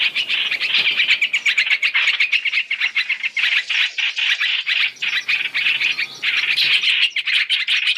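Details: Chinese hwamei, three-in-one lure meant for trapping: a continuous stream of rough, squawky notes delivered about four a second, sustained throughout with little pause.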